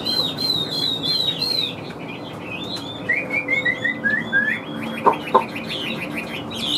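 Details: Chinese hwamei, a large yellow-legged, yellow-billed bird, in loud song: high whistled slurs at first, then a descending run of short repeated whistles, a couple of sharp clicks, and more varied warbling phrases.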